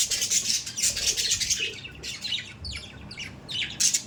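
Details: Pet budgerigars, several birds, chattering: dense runs of harsh, buzzy squawks and scratchy chirps, fast and irregular, with brief pauses between bursts.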